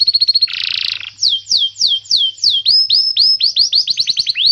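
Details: Canary song used as a training recording to teach young canaries and stimulate birds that have stopped singing: a buzzy opening trill, then a run of high whistled down-slurred notes repeated about four per second.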